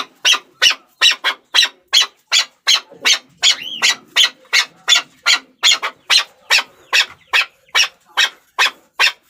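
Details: Chukar partridge uttering a steady string of coarse chuck notes at roughly two and a half per second, with one rising whistled squeal partway through.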